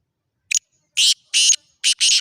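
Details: Black francolin call: a brief clipped opening note, then two long harsh rasping notes, then a short and a long buzzy note, all high and grating, over a completely silent background.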